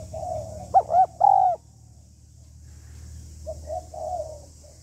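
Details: Spotted dove hen calling to stir a male into calling: a single loud, low, three-part coo ending in a longer rolling note, then a pause and soft, distant cooing.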